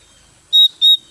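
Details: Caged Javan white-eye, recently bought and still settling, sounds two loud pure high whistled notes, each about a sixth of a second, separated by a short gap, with nothing else audible.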